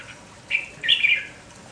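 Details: Red-whiskered bulbul singing in the morning, a short warbled phrase: a brief slurred note, then a longer rolling, bubbling run of notes that dips at the end, heard over faint background hiss.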